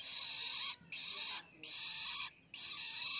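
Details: A young long-tailed shrike, raised by hand and learning the ngelolo song, gives three long, loud, hissing rasps, each under a second, separated by short silences.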